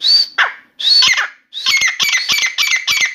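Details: Grey francolin (Dakhni teetar) kept in a room, a new bird in full song: two loud rasping phrases followed by fast, rhythmic, grating chatter repeated several times a second.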